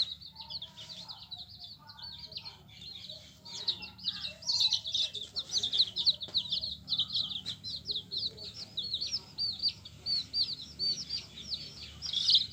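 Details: Yellow domestic hen chicks chirping as a group, a dense, continuous chorus of high, quick peeps overlapping throughout, some louder bursts in the middle and at the end, with a faint low hum underneath.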